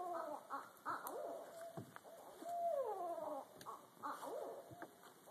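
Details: Two or more wild Barred owls in the trees above, calling back and forth as part of their mating call: a wild monkey-like jumble of cackles, whooping hoots and one long sliding descending wail, with steady insect hum.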